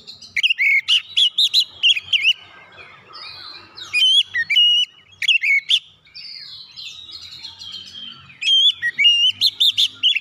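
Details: Rich, varied whistling from an Oriental magpie-robin, singing to stir other birds to sing, with loud looping whistles in bursts, softer scratchy passages between them, and repeated sharp high notes.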